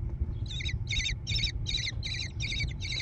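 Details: American kestrel chicks calling from a gravel-floored nest box on a barn, near Prairie du Chien, Wisconsin, USA, 14 June 2022: seven raspy, chattering bursts, evenly spaced about two per second, against a low background hum.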